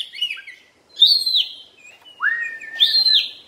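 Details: Oriental magpie-robin (kacer) during molt. Clear, loud whistled phrases: a wavering opening note, then a strong level whistle, a rising note that flattens into a long steady tone, and a final bright whistled phrase.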